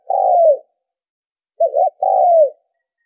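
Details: Spotted dove call used as a trapping lure. A long level coo sliding down at its end is followed after a pause by a rippling double coo and another drawn-out falling coo, with silence between.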